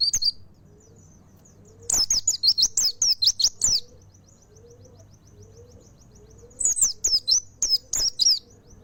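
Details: Full nembak song of a mountain white-eye: two long rattling bursts of shrill, high, downslurred chirps, each lasting about two seconds, separated by a pause with soft high twitters and faint low notes.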